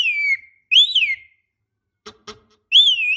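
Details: Javan myna, a female calling a male, used as a lure sound: clear whistled notes, first falling, then rising and falling, then a rising note, separated by short gaps with faint clicks between.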